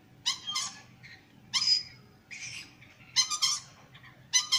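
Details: Sulphur-crested cockatoo, curious and investigating the camera at close range, gives harsh, rasping broadband screeches in short bursts, four squawk groups spread over four and a half seconds with quiet gaps between them.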